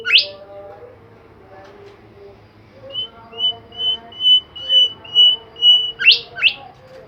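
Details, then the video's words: Bimoli bird singing vigorously: a sharp rising squeak, a quiet stretch, then about eight even, high whistled notes repeated roughly every half second, ending in two steep upward-sweeping squeaks over a low hum. "super jos burung Bimoli gacor"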